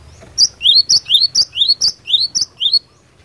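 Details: Cinereous tit singing as a fighter bird to provoke replies: a lively chain of high two-part notes, a sharp bright note then a rising slurred one, about eight pairs in quick succession.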